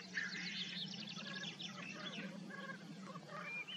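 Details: Black grouse lek in Upper Bavaria, 2023: distant displaying males give a steady, low, dove-like bubbling hum throughout, overlaid by busy higher chirps and twitters from other birds.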